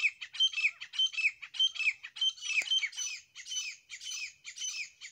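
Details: Grey francolin (Ortygornis pondicerianus) call: harsh, squawking phrases with a few clear whistled notes, repeated rapidly about twice a second without pause.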